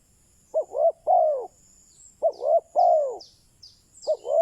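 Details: Spotted dove kept as a decoy, cooing to draw in wild doves. Deep, soft three-part phrases, two quick notes then a longer falling croo, repeated about every 1.7 seconds, with faint high twittering from other birds in the background.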